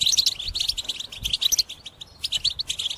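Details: European goldfinch in a cage, its song used for trapping: quick liquid twittering, high and jumbled, in short bursts broken by a pause near the middle.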